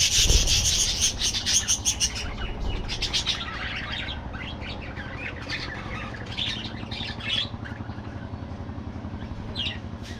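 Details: Budgies in a colony aviary, an opening burst of chattering that fades into sparse, separate chirps, with a soft background hum.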